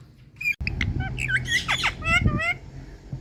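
An Indian parrot gives quick, liquid plinks and clicks, bright sliding notes like drops falling into water, over a low indoor rumble.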